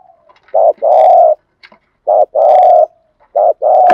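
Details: Repeated spotted dove gù thúc lure coos used to excite trained birds: a short clipped note, then a longer buzzy coo, three times in a row. A faint click and a sharp noise come near the end.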